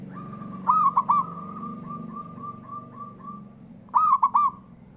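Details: Zebra dove male provoking rival doves to sing: two loud phrases, a drawn coo then three rapid notes, with a quieter dove in the gap giving a run of evenly spaced soft coos. Low background rumble.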